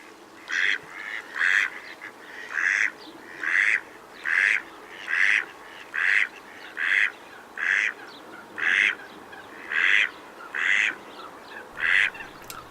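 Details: Male mallard (drake) giving harsh, nasal, rasping calls, about thirteen in twelve seconds at near one per second, over a faint hiss; males make this sound, unlike the traditional quack, which only hens give.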